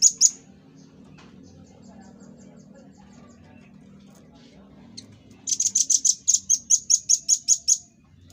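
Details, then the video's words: Velvet-fronted nuthatch recorded as a master recording for training cage birds: a brief high note at the start, a quiet pause, then a fast series of about ten sharp, high, evenly repeated chipping notes. "Tembakan Dan Suara Khas Burung Rambatan Paruh Merah l Burung Masteran"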